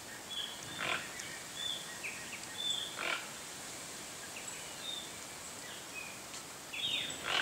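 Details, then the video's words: Toco toucan from Brazil uttering two rough, grunt-like croaks a couple of seconds apart, while other birds whistle brief sliding notes throughout over a constant hissy background. "Canto do Tucanuçu (Ramphastos toco)"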